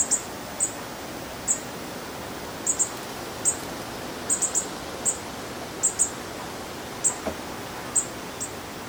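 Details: Great spotted woodpecker in the Netherlands, 9 July 2022 at 15:15, giving sharp, very high single 'kik' notes at an uneven pace, sometimes in quick pairs, over a steady background hiss.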